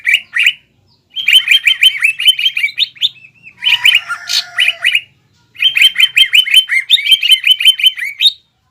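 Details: Green leafbird singing loud fighting-style material, including imitations of sparrow, ciblek and kapas tembak, meant to anger another leafbird. Three long bursts of fast, sharp, trilling notes are broken by brief silences, with a slurred whistle in the middle.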